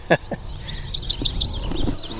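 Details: Sax-Zim Bog, Minnesota, June 2021, during a Dickcissel irruption year with dozens of pairs in meadows and farm fields: a short, high, buzzy burst of Dickcissel song over rumbling background noise and a couple of low thumps.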